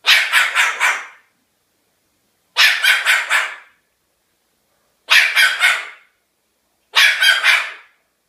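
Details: Pet cockatoo giving four harsh, dog-like barks in a row, each a stuttering run of four or five rasping pulses, separated by short pauses.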